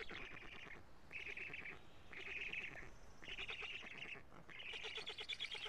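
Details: Nest camera in Karula, Estonia, 25 June 2017 at 16:24, as a black stork parent brings food: five separate buzzy, nasal wheezing bursts of about a second each, spaced by short gaps.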